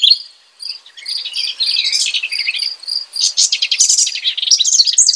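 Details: House wren singing rich, bubbly bursts of tumbling notes in two phrases, over a steady, evenly pulsed high insect-like chirping between phrases.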